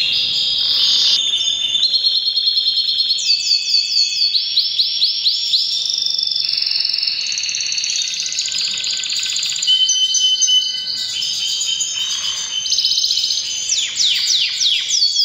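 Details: Powerful breeding-season canary song: long chain of varied trills, fast repeated rising notes and rolling tours, with brief pauses between bursts.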